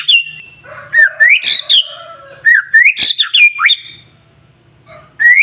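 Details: Singing white-rumped shama used to provoke other shamas: quick phrases of rising whistles and harsh high chips, several bursts in a row, then a quiet pause before a fresh upswept phrase.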